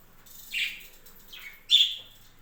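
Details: Kept budgerigars on a home budgie farm give three short chirps: a soft one, a faint rising one, then a louder, sharper final chirp, against a quiet background.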